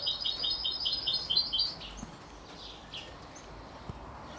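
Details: A 33-day-old chick, a canary crossed with a European goldfinch, gives a quick series of bright, high, stuttering chirps for under two seconds, then scattered faint notes and a couple of soft knocks in a quiet room.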